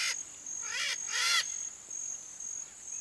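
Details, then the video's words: Red-shouldered macaw giving three harsh, raspy screeches in quick succession, each about a quarter second long, over a constant high insect whine. "MARACANÃ-PEQUENA canto (DIOPSITTACA NOBILIS), RED-SHOULDERED MACAW"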